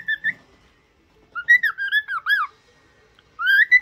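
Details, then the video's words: Trained cockatiel sings a short whistle, pauses, then delivers a wavy phrase of slurred notes that rise and fall, ending after another gap with a long upward-gliding whistle. "تدريب طائر الكوكتيل على الغناء والكلام.Happy cocktaiel singing"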